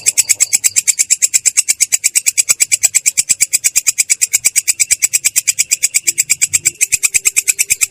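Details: Long-tailed shrike delivering an unbroken rolling song, clear but rough in tone; harsh, high notes pulse evenly at roughly seven per second for nearly eight seconds, with faint low background noise.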